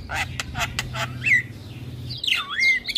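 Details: Javan myna singing on a training recording for mynas: quick harsh chatter, then long swooping whistles that fall and rise. A steady low hum runs under the first two seconds.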